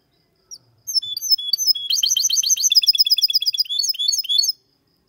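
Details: Goldfinch x canary hybrid (mixto de jilguero) singing a clean song for stimulating males to sing and young birds to memorise; high twittering notes lead into a fast run of repeated trilled syllables, nearly three per second, ending in rising chips.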